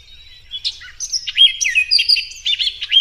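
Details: An orchard oriole sings one unbroken rush of quick, varied whistles that swoop up and down and grow louder toward the end, with no other sounds.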